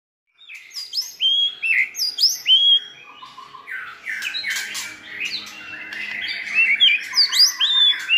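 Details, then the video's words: Several good-voiced white-rumped shamas singing to train a selected shama to broaden its song: clear whistled upslurred phrases, then overlapping rapid trills and varied notes, rich and layered. "NÀI CHÒE LỬA | Đào tạo THANH cho lửa chuyền"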